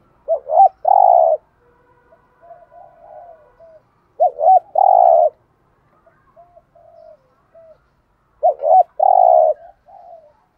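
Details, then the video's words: Decoy spotted dove in full calling routine: a loud three-part coo phrase, two short rising-falling notes then a sustained deep note, given three times about four seconds apart, with soft notes between. "chim cu gáy mồi THÚC GÙ = GÁY GỌI + BÀI BẢN"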